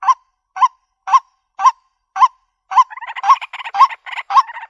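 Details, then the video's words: White-breasted waterhen giving harsh, nasal notes about twice a second, then breaking into a faster, overlapping run of croaking calls. "Bird Sounds White breasted Waterhen Bird ( Water Cock Soun)"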